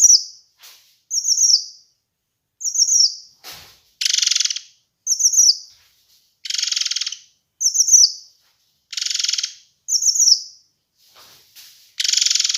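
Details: Kinoi bird song recorded to train and lure birds: short high whistled phrases alternate with dense, buzzy bursts about half a second long, repeated over and over in a steady back-and-forth pattern.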